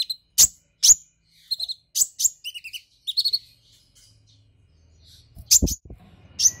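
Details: Excited brown-throated sunbird, stirred up and singing a golden-grasshopper mimicry fill, gives piercing high single chips and quick trilled notes in an irregular stream, with a soft low thud and faint hum near the end.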